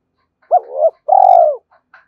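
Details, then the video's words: Spotted dove challenging wild birds to fight, giving a single coo phrase: a short hooked note, a swelling tone, then a long hoarse falling hoot and a faint tail. "Tiếng chim cu gáy hai hậu gáy gọi và thúc đấu bổi"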